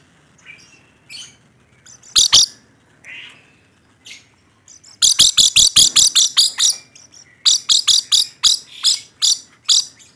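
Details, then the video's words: Rainbow lorikeet chattering, then breaking into fast strings of sharp, high, buzzy screeches, with a short gap between two runs and softer squeaks at the start. "Suara Burung Nuri Pelangi Gacor"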